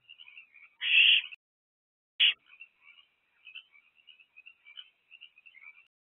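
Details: Owlet of a barn owl in a nest box, evening of 20 April 2024, calling for food after returning: one loud rasping hiss, then a brief sharp burst, surrounded by faint high twittering notes.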